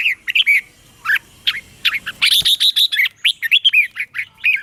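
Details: Red-whiskered bulbul singing; the song is used to train caged birds' voices or for trapping. Lively, continuous run of short, bright chirped and warbled notes, rapid and uneven, filling nearly five seconds with almost no pause.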